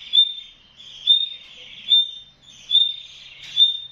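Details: Female nightingale inside a wire enclosure with her young in the nest, giving steady thin high whistles about once a second, each note swelling then fading, with faint rustling beneath.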